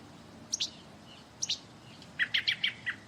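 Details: American robin in autumn in the peri-urban Montreal region, Quebec, a migrant heading south for winter, seeming nervous, gives a few thin, high notes, then a quick burst of five sharp, clipped chirps, with a faint outdoor hush behind.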